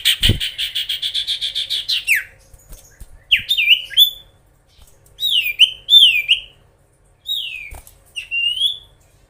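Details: Gacor Oriental magpie-robin singing to provoke rivals; opens with a fast harsh rattling buzz for two seconds, then clear slurred whistles and downward-swooping phrases in short bursts between pauses.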